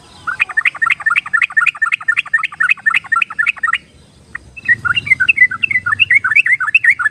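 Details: Yellow-vented bulbul singing, played as a lure to get shy or wild birds to sing: a rapid series of short repeated chirps, a brief pause, then a rolling, chattering bubbly phrase over faint background hum.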